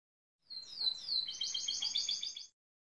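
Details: Gloster canary singing near a building site, said to mimic machine noises to woo workers; a continuous 2-second run of high, rapid trilled notes with buzzy rattling units, repeated about three times a second.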